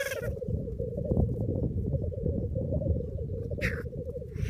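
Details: Nine black grouse males at a Cairngorms lek, 28 April 2014, with six greyhens visiting, taken on an iPhone from a pop-up hide: steady dense bubbling coo from many birds, with one sharp hissing rush near the end.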